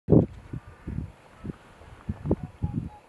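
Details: Cormorant colony at the start of the breeding season: low, guttural croaks and grunts in short bursts, one loud at the start, then scattered quieter ones over a steady outdoor hum.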